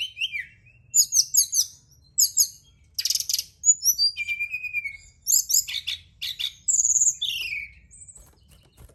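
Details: Night-time lure song of a Brown-chested jungle flycatcher, meant to make kept birds sing more: rapid buzzy note clusters alternate with clear falling and rising whistles, delivered in quick successive phrases over a soft low hum.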